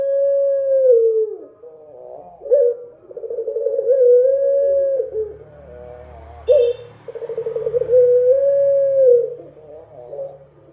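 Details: Dove singing at night, repeated cooing phrases: a stuttering, pulsed opening rolling into a long, steady low coo that droops at the end, phrases roughly every four seconds, indoors-sounding setting.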